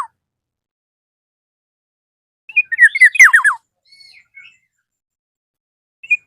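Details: Black-naped oriole in lively voice, calling a rival: a single burst of rapid slurred notes, several sweeping down from high to low, about one second long, with faint soft whistles after and near-silence around it.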